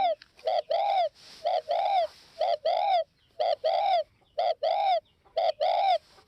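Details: Spotted dove from Northwest Vietnam cooing in a steady rhythm, about one phrase per second: a brief hollow note, then a longer rolling coo, repeated six times.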